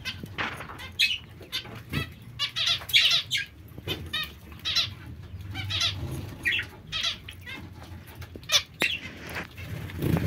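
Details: Busy chatter of zebra finch calls: repeated short, nasal, trumpet-like notes in rapid series, nearly continuous, with occasional clicks and low hum.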